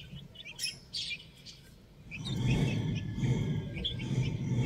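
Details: Young chicks playing: a few short, high chirps in the first second, then softer faint peeps over a steady low rumble that fills the rest.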